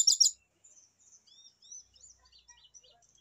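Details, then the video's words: A captive fulvous-chested jungle flycatcher, used as a lure and therapy recording to get birds singing quickly, gives a loud burst of scratchy notes, then a string of thin, high, sweet whistles slurred up and down and rather faint. "PANCINGAN DAN TERAPI SRDC AGAR CEPAT BUNYI"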